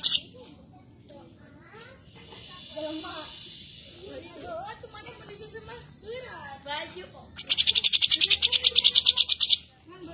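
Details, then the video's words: Cucak jenggot singing a training song for champion birds: a run of varied, mid-pitched, fluty whistled phrases that rise and fall, followed by a loud, rapidly pulsing, buzzy insect-like trill. "setingan cucak jenggot gacor"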